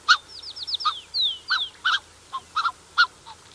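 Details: Black-necked Swan pair with cygnets, recorded close: a run of high, descending whistled slurs, then short harmonic honking notes repeated at uneven intervals about every half second.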